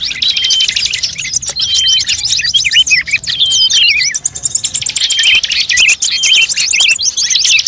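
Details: Many bird voices layered into a lure track for attracting birds: busy high chattering and trills, with looping whistled phrases that wind downward near the middle, and steady thin tones.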